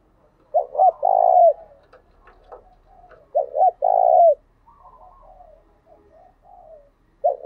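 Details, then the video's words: Spotted dove giving its lure coo for encouraging newly caught caged birds to coo: two deep, rounded coo phrases about three seconds apart, with soft murmuring notes and a low hum in the background. "Tiếng cu gáy mồi chuẩn"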